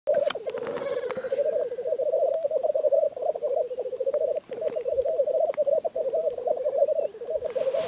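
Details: Black grouse (Lyrurus tetrix) keep up a continuous low, bubbling, dove-like rolling rookoo murmur with brief breaks and a few sharp hissing notes, courtship display at the lek.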